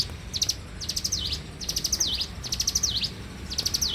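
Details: A bar-winged prinia in full morning song gives four to five thin, high phrases. Each is a fast series of clipped notes finishing in a down-up swoop, spaced roughly a second apart over quiet background hum.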